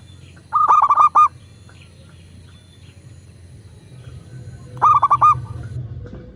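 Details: Local zebra dove cooing, a lure for captive doves to sing and respond: two short bursts of rapid, stuttered rolling notes about four seconds apart, separated by a low humming background.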